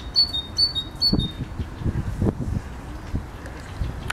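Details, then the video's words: Great tit song: three quick two-note high whistled phrases, the second note lower, in the first second. Heavy rumbling background noise and a man talking follow. "Sikorka Bogatka i jej piękny śpiew"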